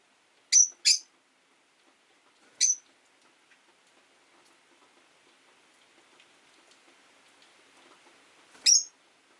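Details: Five rosy-faced lovebirds kept in a cage by a window, competing for a place on the perch; a pair of sharp, piercing chirps, another a second and a half later, then one more near the end, over faint background hiss.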